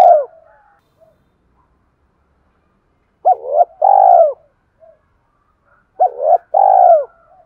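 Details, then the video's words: Spotted dove coo, used to make wild doves start cooing. Two identical phrases about three seconds apart, each a hooked two-part note followed by a long, falling, rolling coo, with quiet gaps. "Tiếng chim cu gáy thúc cực đỉnh dùng kích bổi mở lên là gáy 100%"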